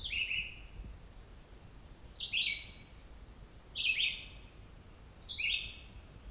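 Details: A single Red-eyed Vireo on a morning hike at Otter Lake Side Trail, Cape Chin North, Bruce Peninsula, sings short, slurred, descending phrases, each well under a second, with about a second's pause between. Faint background hiss.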